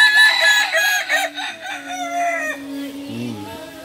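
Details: A bathed Kukuak Balenggek rooster drying in the sun in Solok, West Sumatra, crows in several linked, stepped phrases for about two and a half seconds, ending in lower tones and a brief deep sound.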